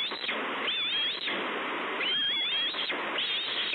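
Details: Hungry bald eagle chick at Two Harbors on 30 May 2013, screeching for food: thin, wavering high whistles in three drawn-out calls, set against steady loud rushing wind noise.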